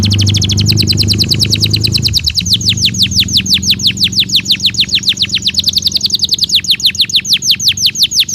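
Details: Belgian canary singing naturally as daily stimulus for training: a long steady trill of rapidly repeated high descending notes, three or more per second, continuing throughout, over a low rumbling background hum early on.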